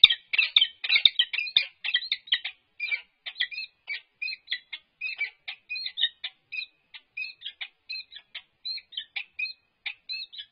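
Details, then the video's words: Courting peregrine falcons, a female with an unbanded male, in a UC Berkeley nest box on 1 April 2022; dense harsh chatter at first, then slowing into separate creaky, two-toned notes about twice a second. "Annie and Unbanded Male Courtship in Nest Box"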